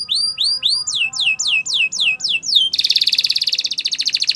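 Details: Canary singing for training: looping whistled notes, then sharp descending sweeps, followed by a fast, loud, evenly pulsed trill.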